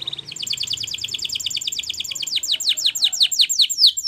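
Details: Training song of a Spanish Timbrado canary: dense quick chattering notes that slow into a series of loud, falling, ringing sweeps toward the end.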